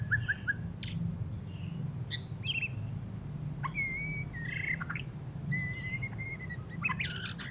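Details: White-rumped shama after moulting, still giving rough twittering: scattered short whistles and chirps, some sliding, others held flat and high, spaced irregularly over a steady low hum.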